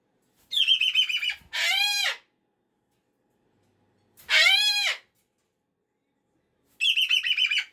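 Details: Pet cockatoo on a Monday morning, unhappy that the weekend is over, mixing a buzzy, rattling, pulsed call with a harsh, harmonic-rich scream, then silence before another buzzy rattle.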